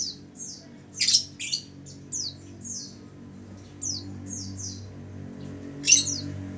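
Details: Female oriental white-eye lure call: quick high downslurred whistles in loose runs, with two louder harsh bursts, over a faint low hum.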